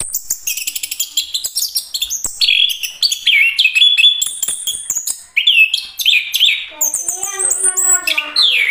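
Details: Chestnut-capped thrush pouring out a rich, fast-changing song of bright whistles, downslurred notes and chattering trills, ending in a harsher, buzzy, rising rattle; faint clicks throughout.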